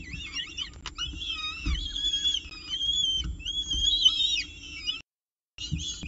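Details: A peregrine falcon at its nest with breakfast, CSU Orange, 19 October 2018, utters a steady stream of high, warbling whines that swoop and dip, then a short silent break and more whining.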